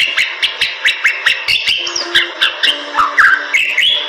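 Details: A Bali myna in super gacor song: a faint low steady tone and rhythmic clicks at first, then clear whistled slurs and twisting phrases toward the end.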